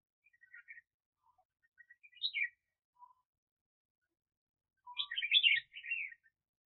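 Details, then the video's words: Red-whiskered bulbul decoy bird for trapping, with soft chirps leading to a short bright note group and then a fuller, fast warbled phrase near the end, in a quiet setting. "Chào Mào Mồi [Công Lập]"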